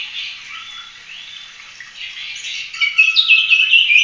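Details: Oriental magpie-robin in full continuous 'tembak' singing style, meant for training other songbirds: a high, varied warble of slurred whistles, growing louder and more piercing in its last second with rapid trilled notes.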